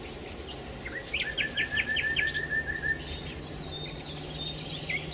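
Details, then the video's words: Sparrows feeding on food remains at a Marsa Alam hotel restaurant after breakfast: a short burst of rapid repeated chirps over steady background noise and a low hum, then scattered single notes. "عصافير🐦︎ تأكل 🔊 صوت الطبيعة روعة|| Birds eat remains of food"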